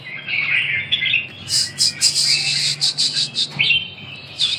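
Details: Red-whiskered bulbul singing: bright, varied whistled phrases between two and four thousand cycles, then a run of sharp, rapid chirped notes in quick bursts, with a low steady hum beneath.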